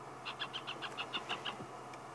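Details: Hornbill chicks inside a nest cavity in a marula tree, Sabi Sand, South Africa, at sunset on 25 February 2016, beg parents for food with about nine rapid, short, high squeaky notes over faint hiss.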